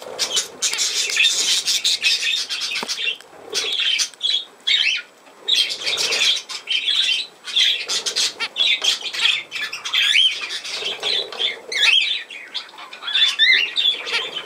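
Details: Steady budgerigar warbling from 17 November 2024, with continuous scratchy chatter and clicks and occasional curling whistled notes that grow more frequent toward the end.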